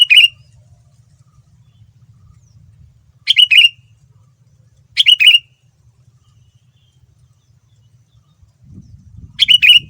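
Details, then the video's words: Male sooty-headed bulbul used as a lure to set other bulbuls answering: short, bright chattering bursts of a few squeaky notes, repeated roughly every two to three seconds, with quiet low background rumble between. "Kutilang Super Gacor Full Isian Mahal, Semua Burung Kutilang Ikut Nyaut dengan pancingan ini"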